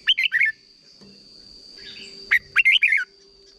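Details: Short doubled-style song of a red-whiskered bulbul from Thailand, used to teach young birds: a brisk warbled phrase, a quiet pause, then a second rapid run of looping whistled notes over a faint steady high tone.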